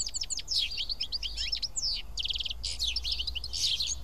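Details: Seven house sparrows sitting and eating together at Karyotissa, Greece, produce a dense, overlapping chatter of short high chirps and twittering notes, with a brief run of rapid evenly spaced chirps near the middle.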